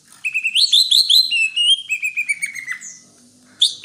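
Greater green leafbird: a quick run of bright, chirpy whistled notes that slides gradually lower over about three seconds, then a short pause and two sharp closing notes.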